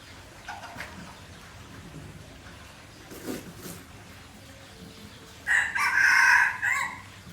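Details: F1 Aceh junglefowl crowing: after faint distant sounds, a loud harsh crow bursts out, a rough rising then sustained cry lasting about a second and a half before breaking off, over steady background hiss.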